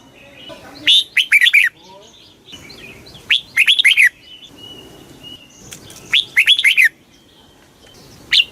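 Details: Red-whiskered bulbul in very fast 'kích bổi' song, repeating a short phrase of four or five rippling, rising-and-falling whistles roughly every three seconds, faint chirps of other birds behind.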